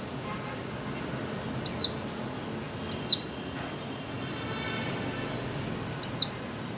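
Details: Female white-eye calling to stimulate mute birds to sing: loud, high, sharply descending chirps at irregular intervals, with fainter slurred notes of the same kind between them and a little background hiss.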